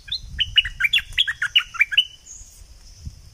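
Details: Southern Thai bulbul in full 'sai ble' song, delivering roughly ten bright, chirpy notes that step up and down in a rapid, slightly uneven sequence, with a constant high whine in the background.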